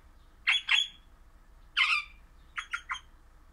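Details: Pet crimson rosella of the orange pennant colour form, described as happy and singing indoors: three bursts of harsh, buzzy squawks, a doubled note, a single longer one, then a quick triple.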